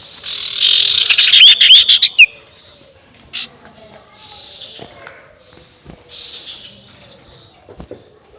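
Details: Spotted owlet calling ngekek as a lure for rivals: rapid, excited cackling chatter of quick repeated notes for about two seconds, then mostly quiet with faint scratchy calls and soft knocks.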